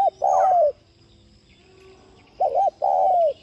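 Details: Spotted dove cooing to set other doves cooing. The clip opens at the tail of a long descending coo; after a pause comes a full phrase: a short doubled note and a sustained, downward-sliding coo.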